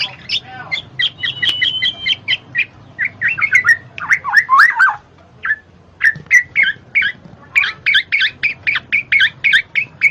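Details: Black-naped oriole calls played as therapy to coax lazy birds into singing: short sharp chirping notes around a few kilohertz, repeated rapidly in uneven bursts with brief gaps, including a denser squawky cluster midway.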